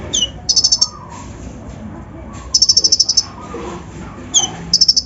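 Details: Kolibri ninja (brown-throated sunbird) lure song with coarse mimicry to raise other birds' excitement: a thin falling whistle, a buzzy high trill, a pause, then another long trill and whistle.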